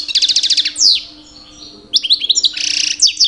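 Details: Two-year-old male European goldfinch, kept bird, singing in mating season to attract females; rapid trilled notes, a descending sweep, then twittering phrases and a buzzy rattle, with a faint steady hum behind.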